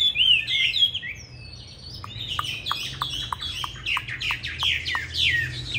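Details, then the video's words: Chinese hwamei singing a fighting song used for song training: loud, clear whistled phrases, then a fast run of sharp, repeated notes, over a low steady hum. "Họa Mi Mắt Lục Đậu Thanh Hót Đấu ( Dùng luyện Mi hót bài êm không gắt )"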